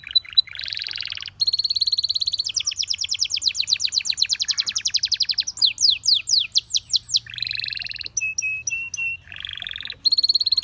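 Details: Singing canary with a long, varied phrase sequence: a buzzy trill, rapid rising and falling rolls, slurred downswept notes, flat whistled tones and renewed trills.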